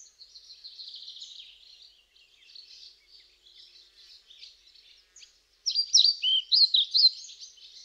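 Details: European pied flycatcher song. Soft, buzzy, high twittering gives way near the end to one loud, clear phrase of quick, sharply swooping whistled notes.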